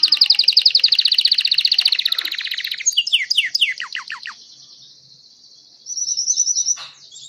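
A Belgian canary sings a rapid, bright trill of many quick notes, then a run of descending whistled sweeps, ending with a high, fast rattle.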